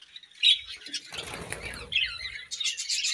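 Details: Morning chirping of budgerigars, squeaky chirps broken by a soft flutter of wings or rustling, then more scratchy, high chatter.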